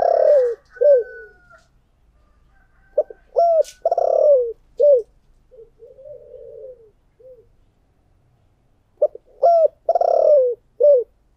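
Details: Decoy spotted dove in the 'giọng thổ' voice: repeated phrases of sharp short coos around a long hoarse trilled note, quiet low cooing between, then a fresh loud phrase near the end.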